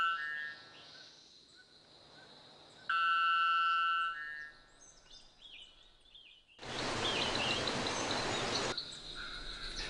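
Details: Bearded bellbird in the foothills of Sierra de Lema, Venezuela, gateway to the Gran Sabana, gives loud, ringing metallic notes, one strong clang lasting about a second, over forest ambience with a burst of broad noise near the end.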